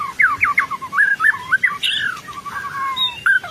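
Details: White-rumped shama singing energetically (gacor), offered as a lure for untrained shamas: a string of clear looping whistles that rise and fall, with one higher bright note midway. The background is quiet and hissy.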